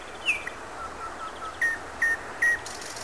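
A falling whistle, then four soft fluty notes swelling slowly, then three clear, level whistles about half a second apart, over a faint steady hiss.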